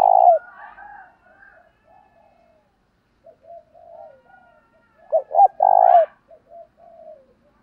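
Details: Male and female spotted doves calling, used to train and stir up decoy birds. One loud phrase gives two short clipped notes and then a long, rolling low coo. Softer cooing from other doves and a few higher faint notes fill the gaps.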